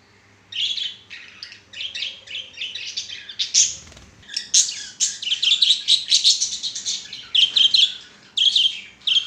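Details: Pet budgerigars singing and playing on a swing, a continuous chattering warble of rapid chirps and buzzy notes, with one brief low thump partway through.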